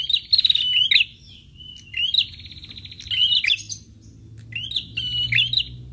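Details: Prinia lure call answered by prinias: buzzy rattling phrases with sharp upslurred chirps, a level whistled note, another long buzzy trill, then a closing burst of rising chirps, over low hum.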